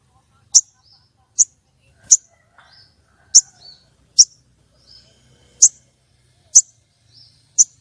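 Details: Female common iora calling to attract and arouse male birds for contests and trapping: crisp, piercing chirps repeated about once a second, with soft twittering notes between them.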